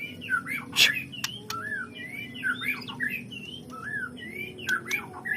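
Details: White-rumped shama whose song is meant to set other shamas off on their learned repertoire: varied whistled phrases, some slurred up and down, repeated in short bursts over a constant low droning hum, with occasional clicks.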